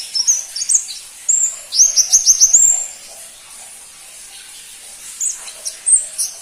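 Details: ['A crimson-breasted flowerpecker (pentis pelangi) sings very high, thin notes, including a quick run of five sharp repeated upslurred chips in the middle. A pause follows, then a few more scattered high squeaks.']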